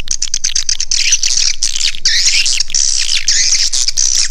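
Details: Swiftlet calls played to attract swiftlets to a nesting house: dense, continuous high twittering chirps, rapid and overlapping, about four per second, with no pauses.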